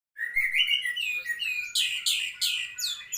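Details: White-rumped shama in song: a slurred whistled phrase around the middle register rising and falling, then a run of loud, harsh, sweeping high notes repeated about every third of a second.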